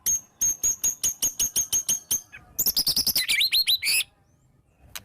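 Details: Lure song of a white-rumped shama with sharp "tembakan" shots and fill-ins: about ten steady ticking notes followed by a dense burst of fast chattering and rising whistled slurs, then near silence.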